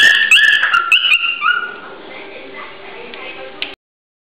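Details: Male cockatiel courting a female from very close, singing to win her as a mate. Loud, sliding whistled notes open the song, then it fades into a soft, sustained, wavering tone before stopping abruptly.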